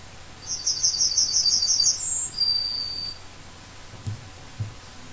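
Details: Yellowhammer song: a quick run of about seven high, even chipping notes, then a brief higher note and a long drawn-out final note, over a steady low background hum.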